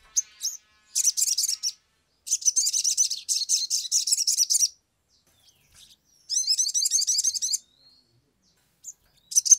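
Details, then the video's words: An agitated, in-form Sumatran leafbird (sogon), used as a lure recording to prompt others to sing, pours out bursts of rapid, high, scratchy chattering song lasting one to one and a half seconds, broken by short pauses. "SOGON GACOR EMOSI"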